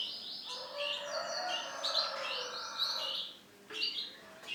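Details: Male canary delivering a dense, unbroken song of rapid rolling trills and sweet warbled phrases layered together, pausing briefly near the end before resuming, with a soft background hiss.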